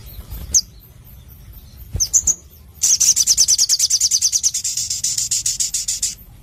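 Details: Crimson sunbird singing vigorously with a clear voice: a few sharp high chips, then a long rapid trill of buzzy repeated notes lasting over three seconds.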